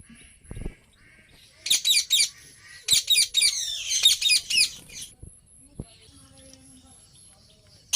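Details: Ringneck parrot giving harsh, high, raspy screeches in quick bursts, clustered from about the second to the fifth second, then fading to faint scattered notes, with a thin steady high whine and a few low thumps in the background.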